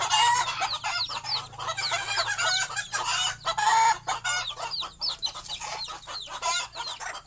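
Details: Hen and her small chicks bedding down for the night at the nest: a steady chorus of thin, arching chick chirps over lower hen clucking, loud at first and easing slightly toward the end.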